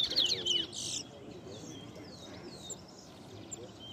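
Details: Towa towa, a large-billed seed finch, competing at Ana Regina Park in Essequibo, Guyana, 2021: one bright burst of sharp whistled notes in the first second, then faint distant twitters as counting continues.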